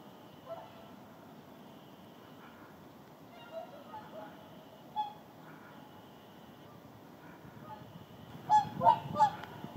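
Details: A flock of whooper swans landing in the Indalsälven delta to rest and preen before heading further south gives scattered soft trumpeting notes, then a burst of loud, bugling honks near the end, over a steady background hiss.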